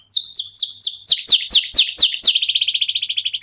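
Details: Kenari lokal in lively song to encourage other birds to sing: a string of about ten sharp downslurred whistles with clicks, then a rapid even trill.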